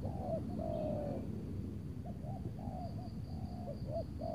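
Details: Spotted dove coos during decoy luring of a big-voiced bird, overcast afternoon in Tangerang before rain. A long level coo, then several short looping notes and another stretched coo, with rhythmic high insect pulses.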